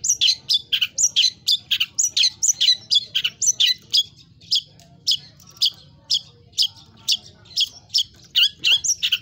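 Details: Long-tailed shrike singing energetically in full 'isian' style, with mimicked phrases high and low, as a training recording. Dense, scratchy, varied high notes tumble quickly, then slow to evenly spaced sharp chips about twice a second.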